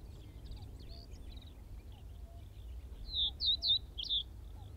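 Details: A common reed bunting at Wakka Primeval Flower Garden, Hokkaido, gives four quick, high, slurred notes near the end, with fainter chirps earlier, over a steady low rumble of wind.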